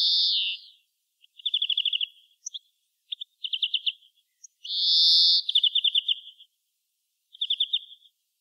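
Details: Greenfinch song beginning with a long buzzy wheeze, followed by rattling trills and a few isolated chip notes, another wheeze flowing into a fast trill, and a closing short trill.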